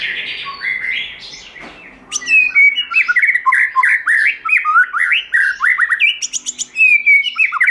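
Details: White-rumped shama singing in the wild-voice style, used to train and excite other shamas: a rich, continuous run of loud whistled and warbled phrases, fast and varied, sliding up and down with sharp high notes between them.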